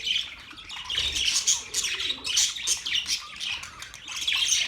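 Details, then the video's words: Several budgies chattering together, steady stream of scratchy squawks and quick warbling chirps, high and bright, with no pauses across the whole stretch. "Beautiful budgies Birds chirping sounds"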